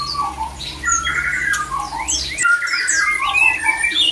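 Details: White-rumped shama male singing a mating song meant to stir other shamas to breed: clear whistled phrases, quick rising and falling slides and a few scratchy notes, with a low background hum in the first half.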